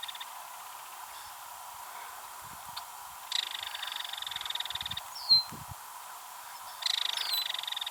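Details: Belted kingfisher female at Ted Shanks Conservation Area, Missouri, calling after another kingfisher flew by: two rapid, dry clicking rattles separated by several quiet seconds, with one short sharp note between them.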